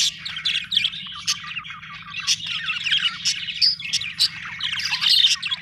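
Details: Continuous budgie twittering: rapid, high, tweeting chirps mixed with scratchy warbles and sharp squeaks, steady throughout with a quiet low background hum.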